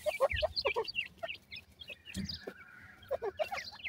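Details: A brood of partridge chicks chirps in bursts of sharp, down-slurred peeps, a quieter pause midway with a steady faint whine, then the peeping resumes.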